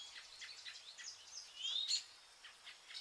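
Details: Vernal hanging parrots on pearl millet in August: scattered high tsip notes from several birds, then one clear rising whistled squeal midway, followed by more faint chirping.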